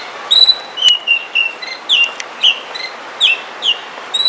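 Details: Oriental magpie-robin in a forest repeating short whistled notes about twice a second, alternating higher and lower pitches, with occasional sharp clicks.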